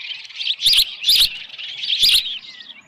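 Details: Osprey at the Dunrovin Ranch nest with a headless fish, evening of 10 June 2018. Three loud, squealing whistled chirps, each slightly wavering, stand out over softer high chatter.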